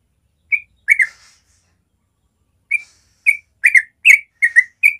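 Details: Yellow-vented bulbul, natural morning 'ropel' song: two bright whistled phrases, a pause of nearly two seconds, then a quickening cluster of bubbly slurred notes.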